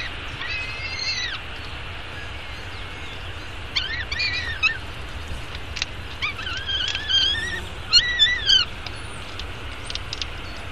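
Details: Peregrine falcon eyas at a downtown Arizona nest, filmed by nest webcam at 9:28 am on 24 May 2016 while being fed breakfast. It gives high, thin, wavering squeals in short bursts with clicky notes, over a steady low city rumble.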